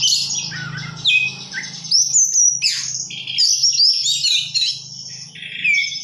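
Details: Energetic oriental magpie-robin song of bright whistles, rattling notes and swooping slurs in rapid phrases, over a steady low hum throughout.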